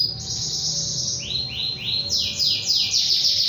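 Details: Canary calling a rival: a short run of high trilled phrases, several repeated falling sweeps stepping down then up again, bright and rapid.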